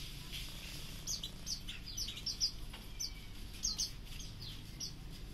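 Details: Pleci auri white-eye singing, a song offered as tutor material for other birds: scattered high thin chirps and short descending whistled notes, sparse and fairly faint over a low steady background hum.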